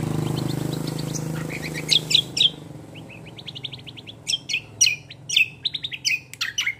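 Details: Cucak kombo, also called kecial kombo, singing a rolling, fast gacor song: low hum at first, then sharp high chirps, rapid trains of short repeated notes and slurred whistles mixed together.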